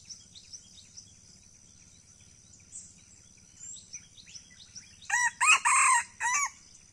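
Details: Several seconds of scattered faint birdsong give way to a sudden red junglefowl crow from Aceh, four harmonic notes packed into about one and a half seconds, the final note set apart and fading.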